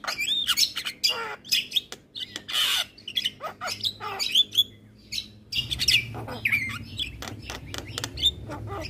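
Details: Javan myna masteran, including other myna types, for mynas reluctant to sing: dense medley of harsh squawks, clicks, whistles and a raspy burst, with louder low background noise in the second half.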